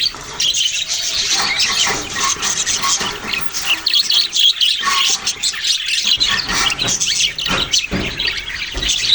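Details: Flock of budgerigars, young birds among them, keeping up steady high-pitched chirping and chattering, many overlapping short notes with a few sharper squawks and clicks.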